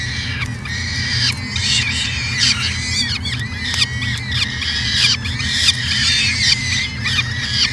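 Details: Peregrine falcon calls from a nest camera in Edmonton, Canada, 2017: a dense, continuous stream of high, thin, wavering squealing notes, overlapping and repeated without pause, over a low steady hum.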